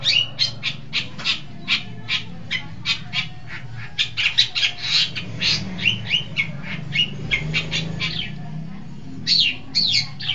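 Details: Long-tailed shrike on a masteran recording for training birds: a rapid, steady stream of harsh, squawking chatter notes over a constant low background noise.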